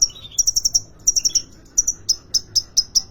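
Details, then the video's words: Sunbird (kolibri ninja) kept caged at the Depok bird market in Solo, Indonesia, singing: quick clusters of very high, thin metallic notes mixed with short lower twittered phrases, ending in evenly spaced single chips about four per second. "Kolibri ninja konin gacor dor"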